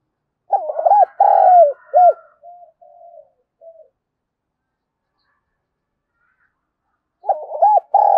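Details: Spotted dove calling, used as a lure for wild doves: a full phrase of stuttered notes, long coo and short end note, trailing soft low murmurs, then a second phrase starting after a long pause.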